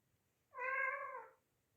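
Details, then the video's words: Pet parrot meowing like the household's newly arrived kitten, a habit it picked up after the kitten came: one drawn-out, even, nasal meow of nearly a second with stacked harmonics in a quiet room. "Parrot meowing and making cat sounds"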